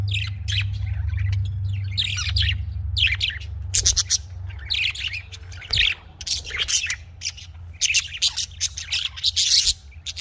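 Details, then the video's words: Caged budgerigars, named Australian parrots, keep up dense scratchy chirping and chattering, with a steady low hum in the first seconds. "Australian parrot voice|Australian parrot ki awaz"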